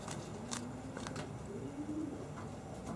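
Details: Homing pigeons in a loft in Bensheim give low, soft, drawn-out coos, partly masked by scattered clicks and rustling in an enclosed space.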